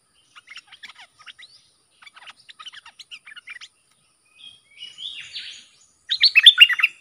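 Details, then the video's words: Sooty-headed bulbul song used to train young hand-reared birds and lure combative wild birds, with sap dok, boen and rik styles. Two bursts of quick high chirping notes, then a rasping phrase and a loud, sweet, warbled run. "เสียงนกดอกแตงEp.122สำหรับหัดลูกป้อน/ลูกเสอ มีครบในครบในคลิปเดียว สับดอก-เบิ้ล-ริก เพลงเพราะน่าฟัง"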